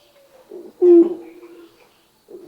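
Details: Malayan Night Heron (tiger bittern) in Sri Lanka gives a single deep, hollow hoot lasting about a quarter second, with soft low murmurs before and after.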